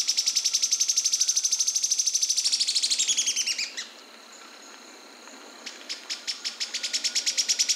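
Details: Yellow-chinned spinetail (Certhiaxis cinnamomeus) song: a long, fast, dry rattling trill of high, even notes that slows and fades, then a second rattle starts and builds again.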